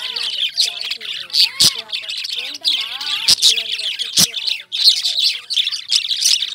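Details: Lovebird flock chatter: constant high, scratchy chirps with loud clicks, and lower curved whistled notes weaving underneath.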